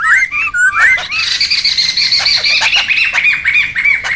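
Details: Noisy laughingthrushes in the wild, for luring and tutoring: a few looping whistles open, then a steady harsh chattering chorus with thin high notes woven through.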